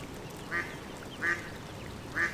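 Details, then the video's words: Pond duckling giving three short, clipped quacks, each a nasal honk lasting a fraction of a second, evenly spaced about three quarters of a second apart over soft noise. "Duck Sound duckling in the pond -duck quack"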